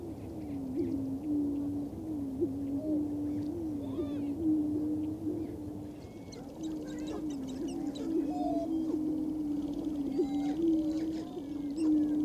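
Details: Greater prairie chicken males on a shared lek with a sharp-tailed grouse, western Minnesota, April 11, 2024. Continuous low moaning boom chorus, pulsing and overlapping, broken by scattered higher whooping cackles and short rising squeals throughout.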